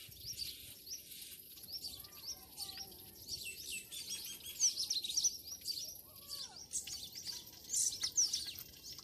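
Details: Village birds at dawn in Pakistan fill the air with dense, high-pitched chirping and short whistled notes that rise and dip, growing busier in louder bursts toward the middle and end.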